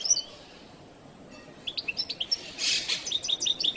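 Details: High, sharp goldfinch chirps, the jilguero latino song, following a near-silent start: a string of quick clipped notes, a short noisy burst, then more evenly spaced bright chips.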